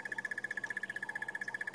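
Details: At sunrise in Sabi Sand, South Africa, on 30 March 2016, a crested barbet of unknown sex gives its long, unbroken trill, a rapid even run of about fifteen mid-pitched notes a second, a presence and contact call; a second bird occasionally responds.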